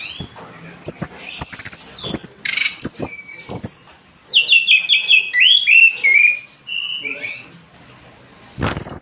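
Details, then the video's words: Orange-headed thrush in vigorous song for tutoring other birds: high scratchy twitters and clicks first, then a series of sweet descending whistled slurs, and a harsh burst at the close. "MASTERAN SUARA BURUNG ANIS MERAH GACOR"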